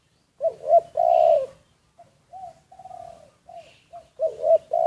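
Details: Spotted dove kept as a decoy bird, recorded secretly: low mellow coos, a short double note and a long drawn-out coo, then softer clipped coos, then louder coos returning at the end.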